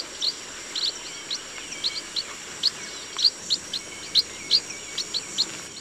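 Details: In a rice field, a chestnut munia repeats brief high, thin call notes in loose, irregular series, sometimes paired, over a low, even background hiss.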